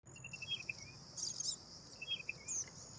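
Black drongo giving sharp, metallic chirps and short clipped notes in quick bursts, over a steady high-pitched insect drone.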